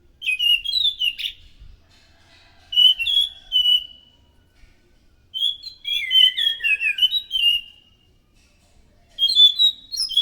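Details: Orange-headed thrush, loud song used as a lure to draw in other thrushes: repeated bursts of ringing whistles mixed with quick twittering notes, separated by brief silences.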